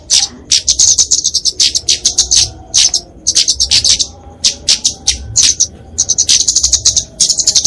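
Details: Flowerpecker (kemade) fighting song for training and luring songbirds: clusters of piercing high chips and brief trills, delivered in rhythmic bursts with short pauses between them.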